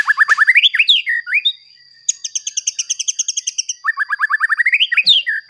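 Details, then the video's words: White-rumped shama singing to provoke other shamas: fast rhythmic series of rising whistled notes, a long rapid trill of repeated high notes, then another quick rising series and slurred whistles. "Pancingan Murai Batu Agar Bunyi Ampuh Bikin Emosi Murai Batu Lain"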